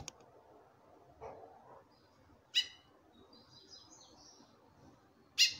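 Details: Female chestnut-bellied seed finch calling to a male, said to call over ten times a minute: two sharp, bright, harsh calls about three seconds apart, with faint thin warbled whistling in the background.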